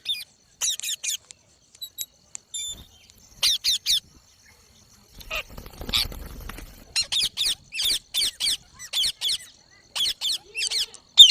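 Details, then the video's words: Green parrot, described as talking, repeats short, high, squeaky chattering notes in runs of four or five, with a soft rustling sound midway and quiet gaps between bursts. "Green Parrot Talking Natural Sounds | Mitthu Ki Awaaz | Tote Ki Awaaz"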